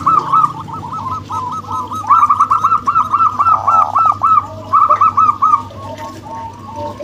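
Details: Zebra doves, a crossbred male and a local female, deliver a long, fast, pulsing series of bubbly, looping coo notes, in places two voices at once. It eases into a shorter run and then quiets, over a steady low hum.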